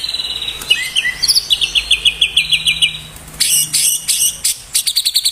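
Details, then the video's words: Loud song from a white-rumped shama, its full repertoire of mimicked material used to lure others of its kind: a rapid string of high, evenly repeated piping notes, then buzzy, chattering bursts in quick rhythmic groups. "Murai batu full materi,cocok buat pancingan murai batu lainnya"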